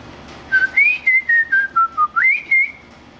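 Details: A wild White-rumped shama sings a quick run of about eight pure whistled notes that step downward in pitch, then leap up sharply for the final phrase.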